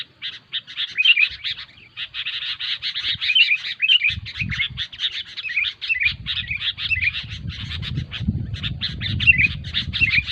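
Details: A lure recording for trapping Sooty-headed Bulbuls, described as noisy: rapid buzzy chatter with short bright whistled twists mixed in, and rumbling background noise growing in the second half.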